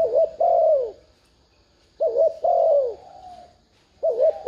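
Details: A spotted dove coos to lure wild birds. Three low, mellow phrases each open with a quick wavering note and end in a drawn-out descending coo, over a steady thin high hiss.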